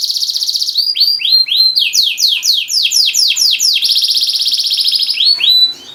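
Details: Canary from Semarang, song aimed at prompting silent canaries to sing: a loud trill, then a rapid sequence of about a dozen sharply falling whistled notes, another sustained rolling trill and a final rising sweep fading out.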